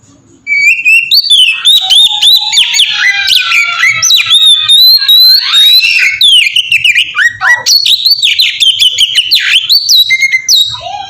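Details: Oriental magpie-robin song in the melodious ngeplong style, used to draw other magpie-robins into singing; after a brief quiet start, a long unbroken run of bright whistles, slurs and rapid chips.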